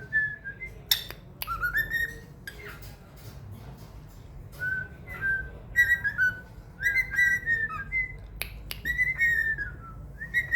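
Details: A hand-fed pet cockatiel, trained to whistle "Another One Bites the Dust," gives bright whistled phrases of short repeated notes that rise and fall, grouped in quick runs with gaps, over low indoor hum.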